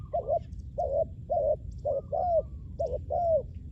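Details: Decoy spotted dove used to lure wild doves, giving a steady series of soft, mellow coos about one per second. Paired notes alternate with longer, downward-sliding ones over a constant low background rumble.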